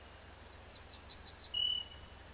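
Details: Song of an Ortolan Bunting: a run of about eight clear, ringing high syllables, each sliding upward, closing with a single lower, sustained note that dips slightly. A constant thin high hiss sits in the background.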